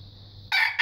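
A young red junglefowl tries a crow: a hoarse, rasping burst that breaks off, then a second attempt begins. There is a faint low hum beforehand.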